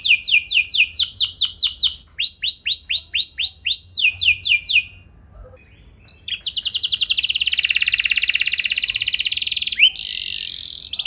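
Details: Long-rolling canary training song: series of descending sweeping notes, then slower curved whistles, a brief pause, and a sustained fast buzzy trill held for several seconds.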